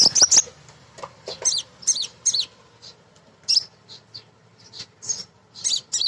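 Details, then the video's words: Female sunbird, kept as a lure to get untrained birds singing, gives scattered piercing high chirps and twittering bursts. The notes come irregularly over several seconds, with a soft low buzz in the background. "Kolibri Ninja BETINA Ngriwik Nyrecet Nembak Pancingan"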